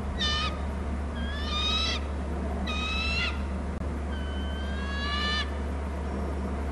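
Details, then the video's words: Wild bald eagles on Hornby Island call back and forth between the nest and the territory, caught by a nest camera. Four shrill, piping, strongly harmonic notes of about half a second each sound over a constant low electrical hum. "hearing eagles call; from the right one to nest and other to wa cam"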